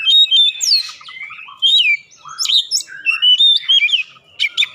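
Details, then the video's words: Singing Oriental magpie-robin on a lure track meant to make birds sing: long sweeping whistled slurs and varied rich phrases, with short breaks, ending in quick clipped notes. "pancingan Kacer langsung buka paruh GACOR"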